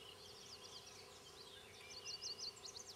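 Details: Banded male and female Black-capped Chickadees bring food to nestlings in a fence-post nest near Queen's University Biological Station, spring 2006. A quick run of high, zigzagging squeaks grows louder toward the end over faint background noise.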